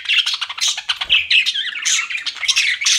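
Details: Pet budgerigars chirping indoors: a dense, continuous chatter of squeaky, buzzy chirps and warbles with short squawks mixed in, several birds overlapping without pause.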